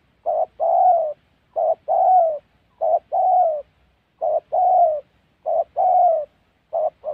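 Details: Spotted dove cooing in the wild forests of the Central Highlands, Gia Lai, Vietnam, a call used in trapping: low mellow phrases, a short coo then a longer slurred falling coo, repeated about every one and a half seconds.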